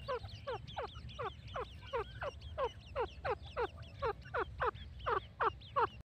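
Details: Grey francolin repeating short, falling, slightly hoarse notes roughly once a second, the series steady and fairly loud over a low background rumble.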